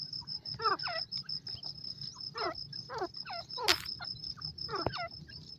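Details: Partridge, called Teetar, from Iran; loud harsh calls of looping, grating notes given in short groups every second or so, under a steady thin high whine.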